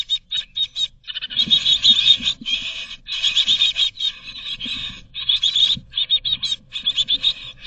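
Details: Great tit chicks in a Berlin nest box in 2022 beg for food in a dense, high hissing-chirping chorus, rising in urgent bursts with brief pauses between, with faint low rumbling underneath.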